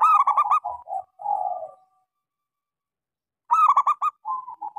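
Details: Zebra dove of local stock with a small voice, lure song to start silent doves: rapid clipped notes sliding into soft coos, a pause, then another staccato burst and short coos.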